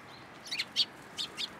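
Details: Sparrows at a Tenmangu shrine on 13 April 2023, flying onto a person's hand for food; a quick burst of four bright, high chirps in close succession, the third loudest, against soft background noise.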